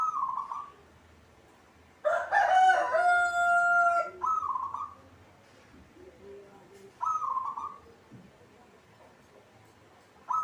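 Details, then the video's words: Local zebra dove, kept in a cage and described as singing often, repeats brief rolling coos. A loud, long, strongly harmonic crowing call from another bird overlaps the first part. "hitungan detik perkutut cepat bunyi atau gacor"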